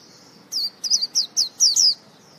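A white-eye sings a quick run of about six high, thin, slurred chirps in under two seconds, with a faint high hiss before and after.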